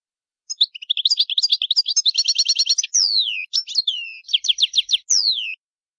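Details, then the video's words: Goldfinch giving loud territorial calls, a rapid liquid twitter of high chirps and trills broken by two drawn-out, falling buzzy slurs, used to assert presence and warn intruders; meant to stimulate other birds. "Goldfinch's loud calls"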